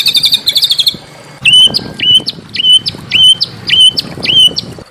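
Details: Small birds played as training audio to stir a murai batu (white-rumped shama) into song: a brief high twitter, then looping whistled notes that rise and dip, repeated roughly every half second.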